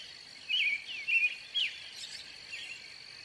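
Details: American robin sings three clear, slurred whistled phrases, rising then dropping, spaced about half a second apart, over a constant high insect drone.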